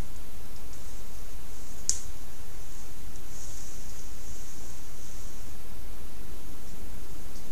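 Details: Near-silent hiss with a single sharp click, and no animal sounds.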